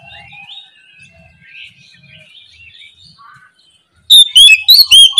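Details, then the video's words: Oriental magpie-robin (kacer) in the morning, ngeplong lure song for prompting reluctant kacer to sing: several seconds of soft, scattered chirps and warbles, then a sudden loud burst of fast, ringing whistled notes at the end. "KICAU PANCINGAN KACER NGEPLONG DI PAGI HARI, BUAT PANCINGAN KACER Malas bunyi supaya LEKAS NYAUT!"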